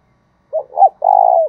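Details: Spotted dove used as a decoy to lure wild doves, delivering one cooing phrase: a short note, a rising-falling note, then a drawn-out, slightly wavering coo that fades down at the end.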